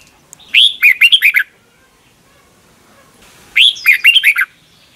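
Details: Red-whiskered bulbul song from Thailand, played each morning so young caged birds learn it; two loud phrases, each a rising whistle then a quick run of four or five clear falling notes, separated by a quiet pause.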